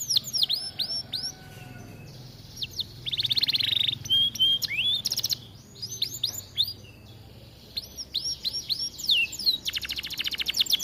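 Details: Atlantic canary in full, lively song, a recording meant for training other canaries; varied downward-swooping whistles mixed with dense buzzy rattles and rapid trills, high-pitched throughout, with short pauses between phrases.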